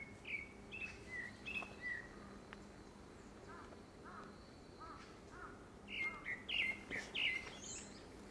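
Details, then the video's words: Grey-backed thrush courtship song, linked by season to a second breeding: a phrase of downward-sliding whistles, a pause with faint softer notes, then another burst of quick whistles ending in a high squeak. "되지빠귀 울음소리"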